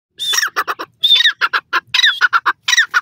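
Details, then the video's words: Indian Dakhni teetar (partridge) of South India giving loud, harsh squawking calls in repeated phrases: a long strained rising note followed by three or four short clipped notes, the phrase coming about four times in three seconds against a quiet background. "teter ki boli,teetar awaaz,teetar voice,indian dakhni teetar awaz"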